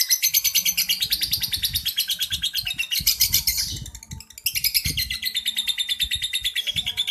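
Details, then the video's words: Champion lovebird's ngekek song, an extended high chatter of fast buzzy pulses that fades briefly near the end before the rattle returns, low rustling sounds underneath. "kicau lovebird ngekek juara"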